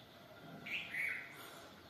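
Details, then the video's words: A bulbul gives two short, bright chirping notes in quick succession, the second slightly longer and lower, against a soft background hiss. "Tlaiberh (bulbul) rah tlān"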